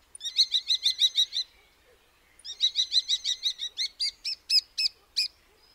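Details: Common starling: two bursts of rapid, dry clicking rattles, high and evenly pulsed, the second series slowing into separate sharp chips and ending in a few spaced, emphatic notes.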